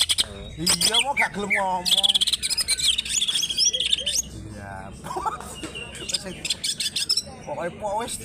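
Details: Greater green leafbird from Alas Purwo, Banyuwangi, Indonesia, a fighter-type bird singing hard and continuously, fluffing its crest and opening its tail: rapid high chirps, whistled slurs and sweeping notes in dense bursts, with rougher harmonic calls mixed in.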